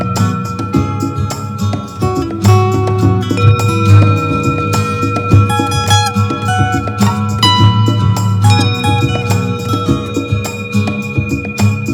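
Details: Plucked-string folk music plays throughout, with steady strummed notes and a low drone, and no animal calls can be picked out.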